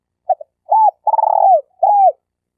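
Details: Spotted dove (tekukur) from Malaysia, a denak bird used to lure others for trapping: a single clear phrase, two tiny notes, a rising-falling coo, a long vibrating coo sloping down, then a closing curved coo.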